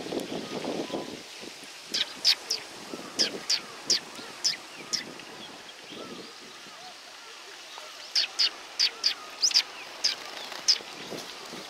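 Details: Sparrows coming to be fed, recorded 22 September 2020: sharp, high chirps repeated irregularly in two bursts, with quieter gaps between them and low rumbling noise at the start.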